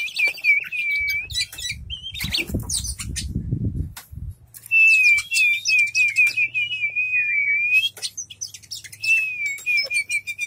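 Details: White-rumped shama in a collection, tail fanned, singing long wavering whistles mixed with chirps and clicks, over a steady low hum and a brief rustling noise.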